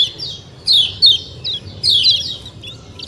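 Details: Kecial kuning, yellow white-eye, giving a few bright high chirp bursts with rapid slurred notes, separated by short gaps, over soft low background hum.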